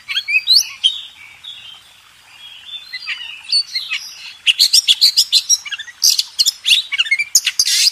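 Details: Oriental magpie-robin master song for contest training: soft warbled phrases build into loud, fast clusters of high, sharp, scratchy notes.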